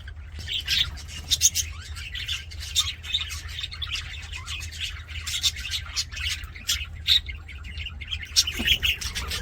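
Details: Budgies in a happy mood, keeping up a rapid stream of buzzy chirps and sharp ticks, with louder spikes every second or two over a continuous low hum.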